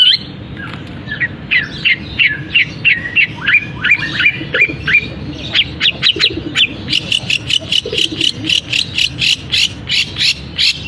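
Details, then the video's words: Long-tailed shrike singing with imitations of canary and other birds: varied short whistled and buzzy notes, then a fast run of sharp repeated chips around three per second. "Cendet Gacor Isian Kenari, gereja tarung, kapas tembak"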